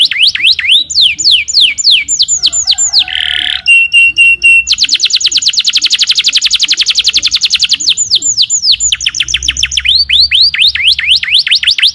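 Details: Canary singing a long varied sequence: descending whistled sweeps, a buzzy burst, pulsed tones, then a dense fast trill for several seconds before more rapid sweeping whistles; faint low rhythmic background sounds.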